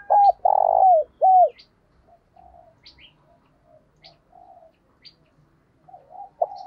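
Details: Spotted dove used as a decoy coos to attract wild birds. A loud phrase of three notes, a short coo, a long burry coo and a falling arched coo, is followed by quiet murmuring and sparse high chirps. A new phrase starts at the close.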